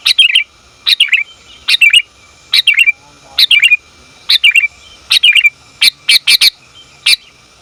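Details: Calling female sooty-headed bulbul summoning the male: repeated bright chattering phrases, each a high click then a wavering downward trill, about every second, ending with faster single sharp chips.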